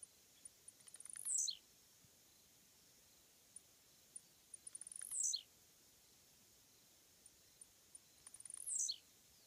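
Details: Blue-black grassquit (tiziu) perched on a fence beside a road. Three songs about four seconds apart. Each starts as a run of quickening high ticks and ends in a loud, buzzy, sharply falling sweep. Quiet background.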